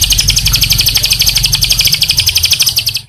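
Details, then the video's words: White-rumped shama 'pastol' phrase used to train caged birds: a continuous rapid stream of high, buzzy repeated notes, roughly four per second, with a steady low rumbling background hum, ending abruptly. "masteran istimewa untuk melatih mental pastol murai"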